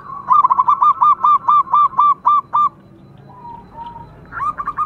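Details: Zebra dove of a local line, singing strongly as a lure for other doves. An even series of about a dozen short, punchy notes is followed by quiet low coos and a final short burst.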